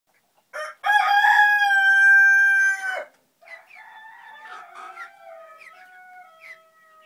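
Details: A one-year-old black female Silkie chicken gives one loud, drawn-out, crow-like call lasting about two seconds, followed by softer, wavering clucks and murmurs.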